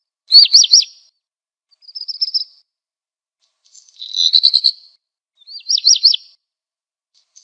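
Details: Black redstart singing: a quick whistled warble, a soft rattle, then a louder crackling, grinding phrase, and another whistled warble.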